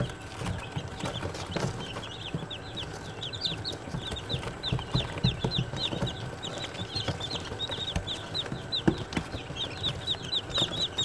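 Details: Several day-old Australorp chicks peeping almost nonstop, rapid high downward-sliding chirps repeated in long chains, with background rumble and occasional taps.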